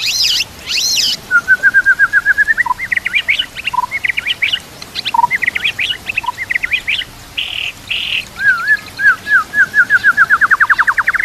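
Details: White-rumped shama masteran song with mimicked kapas tembak and canary: it opens with high buzzy bursts, then a steady trill, lower scattered notes, two harsh buzzes and a long accelerating trill that drops in pitch.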